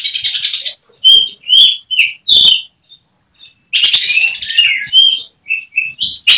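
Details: Kacer (oriental magpie-robin) kept caged and trained for singing contests, firing 'tembakan' phrases: a buzzy burst, sharp clear whistles, a short gap, then another hissing burst leading into quick, rising whistled notes.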